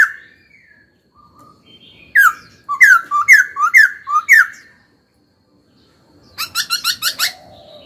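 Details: Caged laughingthrush singing during training: a whistled note, then about five rhythmic slurred whistles in quick succession, a pause, and a fast run of repeated bright chirps.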